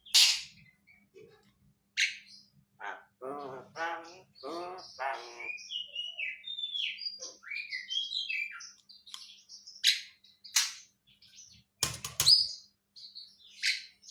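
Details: Javan myna mimicking a person's cough: sharp harsh bursts, a run of nasal, voice-like harmonic phrases, scattered whistled and chirping notes, and loud raspy cough-like blasts toward the end.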